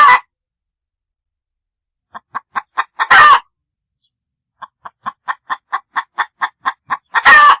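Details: Chicken clucking in short, clipped notes repeated several per second, each run ending in a loud, raucous squawk, with quiet pauses between runs.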